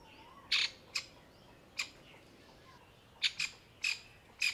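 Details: Anxious grey francolin hen with newborn chicks nearby, hidden among dry summer leaves; a series of short, piercing, raspy notes, some paired, irregularly spaced over several seconds.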